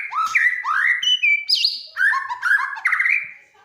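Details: White-rumped shama (murai batu) in full, lively song meant to set other birds singing: a rapid string of rich rising whistles and slurred notes, some high sharp chips, varied phrase after phrase without pause.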